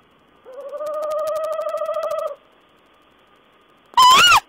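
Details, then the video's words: Owl, 14 April 2010: one sustained, quavering nasal note lasting about two seconds, then silence and a single sharp, loud, rasping screech with a rising-then-falling inflection. "Owl's talk"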